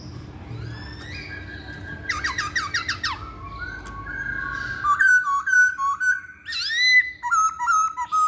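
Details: Lure recording of a masked laughingthrush to set other birds singing: a rapid series of downward-swept whistles, then a run of short rising and falling whistled notes and a final repeated warbling phrase.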